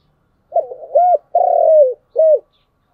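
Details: Cooing spotted dove, chiêu and thúc style, giving a single low soft phrase of four parts with a long pulsing middle note that drops in pitch before a short final hoot.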